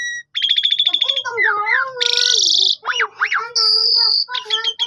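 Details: Asian pied starling recorded on a phone camera, singing to get other starlings singing: a rapid buzzy trill, wavering mid-pitched whistles, a harsh rasping burst, then sharp up-and-down notes and a high sustained tone.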